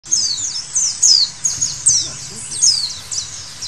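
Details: White-eye singing loudly: a fast run of very high, thin, sharply falling whistled notes, about three bursts a second, with a quiet background.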